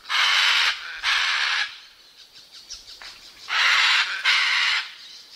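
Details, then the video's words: Scarlet macaw (Ara macao) screaming flight calls: four loud, harsh, broadband squawks, each about half a second, given in two pairs separated by a quiet gap. "Scarlet Macaw Screaming | Scarlet Macaw Sound | Scarlet Macaw (Ara Macao) Video | Macaw Flight Call"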